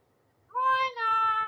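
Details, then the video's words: Talking common hill myna mimicking human speech: one smooth, voiced two-part utterance, the first part steady and level, the second slightly higher after a brief dip, in a rich tone with many overtones. People nearby repeat words to it. "কথা বলার ময়না পাখি"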